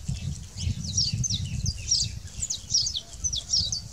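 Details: Saffron finch in its natural wild habitat sings quick, high chirped notes, several per second, some sliding down, over a steady low rumble of wind or handling noise.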